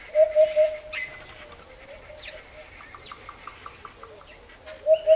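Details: Eurasian hoopoe in Botswana's African bush gives a soft, low triplet of hooting 'poo' notes at the start and another pair at the end, while other birds chirp and a rapid series of short notes sounds in between.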